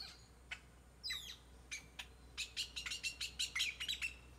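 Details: Several birds singing in a tropical tree in Nayarit, Mexico: scattered high sharp chirps and a downward sweeping note, then a fast run of bright repeated chips in the second half, with a faint steady high hum throughout.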